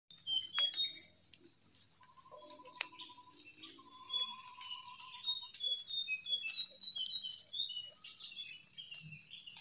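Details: Wild jongkangan in the open, used as a lure to prompt silent caged birds to sing: rapid, high, squeaky twittering phrases that keep changing pitch, with a steady buzzing insect trill and scattered tapping sounds in the background.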